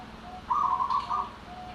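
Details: Local zebra dove (perkutut) giving anggungan cooing song: a single stuttering, rapidly pulsed mid-pitched coo phrase lasting under a second, over quiet background hiss.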